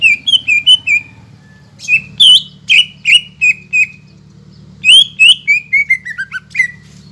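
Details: Caged greater green leafbird singing vigorously as a lure for birds that have stopped singing: clear, piercing whistled phrases of quick repeated notes, ending in a descending string of slurred whistles, with a low background hum throughout.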